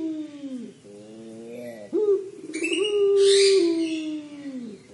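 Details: 'Crying' call of a puter pelung collared dove: a low, downward-sliding coo, a short pause, a rough rising burst, then a sustained note that sags slowly, with a brief rustle partway through.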